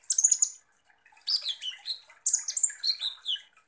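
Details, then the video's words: Kolibri ninja sunbird singing as a lure for rival birds: bursts of sharp, high chirps separated by short pauses, with whistled notes sliding downward in pitch. "KONIN Langsung EMOSI dan NGOBRA dengan PANCINGAN kolibri ninja GACOR ini"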